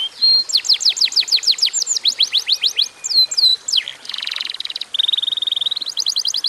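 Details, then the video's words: Canary song in a short lure recording to make other canaries sing: quick falling whistles repeated several per second, a brief rasping passage, then a fast level trill and rapid high notes. "kenari gacor durasi pendek cocok buat pancingan kenarimana pun lansung Yau gacor"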